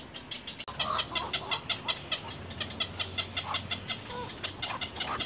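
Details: Little egret chicks at the nest, pecking hard at their mother: sharp dry ticking notes repeated nearly three times a second in an uneven chatter, with a low steady hum underneath.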